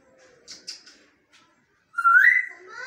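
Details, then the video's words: African grey parrots, a bonded pair indoors; faint hissy sibilant sounds, then a loud rising whistle that levels off and fades into softer tonal notes. "Talking Parrot"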